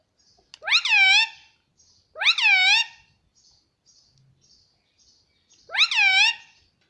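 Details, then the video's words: Pet Indian ringneck parrot repeating "mummy" over and over: three bright, buzzy, rising-then-falling utterances spaced a couple of seconds apart, with faint chirping in a quiet indoor setting. "non stop talking mummy || papa ka pyara mithu || cute Indian ringneck parrot"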